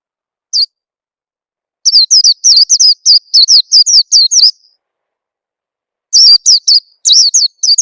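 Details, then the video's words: Oriental white-eye lure call, used to get young birds to start singing quickly: a single high chirp, a pause, then a rapid run of high downslurred twitters, and another burst near the end, with no other sounds. "suara pikat burung peleci bakalan biyar cepet bunyi"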